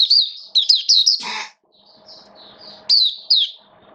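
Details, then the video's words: Oriental white-eye kept as a hobby songbird in rainy weather, recorded 8 October 2022; sharp high twittering phrases of rapid chirps, a brief rustling burst, then softer high notes and more twitters over low background hum. "Mata Puteh Buka Sing Raja"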